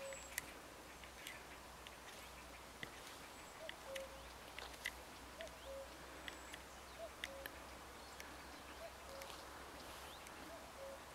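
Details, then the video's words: In spring, a distant common cuckoo sings soft, low, falling two-note "cu-coo" calls every couple of seconds, said to be in unison with bells, over a hissy background with faint clicks. "Chant du Coucou gris"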